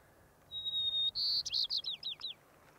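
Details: White-crowned sparrow singing in wild alpine tundra atop a mountain in Rocky Mountain National Park, recorded 6-10-2022: a long pure whistle, then a brighter buzzy note and a quick run of descending slurred chips. Background is quiet.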